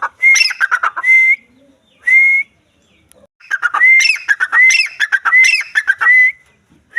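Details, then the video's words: Female grey francolin, Dakhni type, calling: loud repeated rising whistled notes with harsh clucking syllables, in bursts separated by short gaps, about seven phrases. "female teetar voice"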